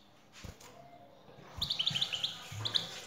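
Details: European goldfinch answering a female's call: after a second of low rumbling, a quick burst of rapid high twitters and liquid chirps fills the rest.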